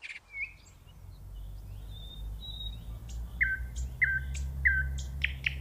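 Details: Nightingale in steady low rumbling background noise, giving drawn-out pure whistles and then a repeated series of three sharp, downslurred whistled notes with clicks.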